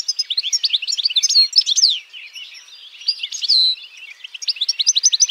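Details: European goldfinch delivering a continuous stream of rapid, bright, tinkling notes and slurred whistles, with a buzzy rising-falling note midway and clipped twitters resuming at the end.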